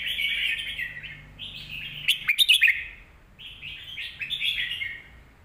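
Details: Song from a caged Red-whiskered bulbul, sung in a big voice so young birds can learn it. Several warbled phrases, some rising, with a burst of loud clicking notes in the middle.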